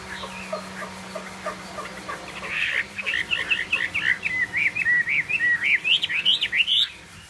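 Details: Chinese hwamei starting with quiet notes, then building into a fast, varied string of loud whistled and twisting notes, each phrase rising and falling, for several seconds.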